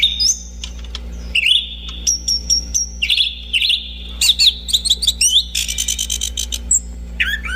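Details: Orange-banded thrush song with fast, varied whistled phrases: sustained high whistles, slurred sweeps and rapid chattering trills, delivered almost without pause against a faint constant low hum.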